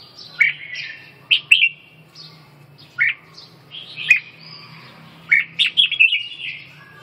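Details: Red-whiskered bulbul: loud, clear warbled phrases of two to four rising and falling whistles, coming in spaced bursts over a steady low background hum.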